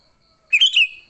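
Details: Sooty-headed bulbul in lively fighting song, used to lure other bulbuls: one short bubbly phrase of quick liquid notes, slurring down and up, lasting about half a second in a quiet background.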